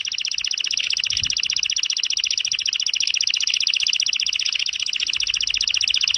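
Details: Singing canary, used as a training song for caged birds: one unbroken, very rapid high trill, steady and rattling throughout, with faint low background noise.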